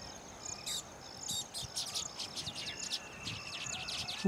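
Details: Male baya weavers singing and fluttering their wings at freshly built nests to attract females: a busy chorus of high chattering, buzzy notes and short wheezy trills overlapping throughout.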